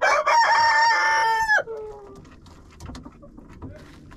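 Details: Rooster crowing inside a friend's chicken coop, caught on a GoPro placed among the birds: one long harmonic crow holding steady, then dropping sharply at the end, followed by quieter shuffling and faint clucks.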